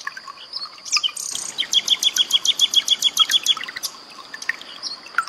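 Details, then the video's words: Common nightingale song prepared as tutor audio for cage birds such as white-rumped shamas: a rapid series of about fifteen sharp, evenly repeated high notes after a few scratchy phrases, over a steady high hiss and faint water trickle. "SUARA BURUNG SIKATAN LONDO"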